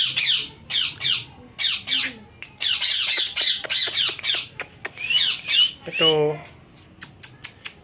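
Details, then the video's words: Pet parrot indoors giving a string of harsh, raspy squawks in quick bursts, one drawn-out nasal cry near the end, then short sharp clicks, with faint music in the background. "Talking Parrot Talking Beautiful Voices"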